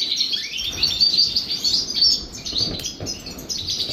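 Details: European goldfinches bathing in the morning: dense high twittering with bright metallic chirps and short upward notes, over steady low splashing and rushing noise.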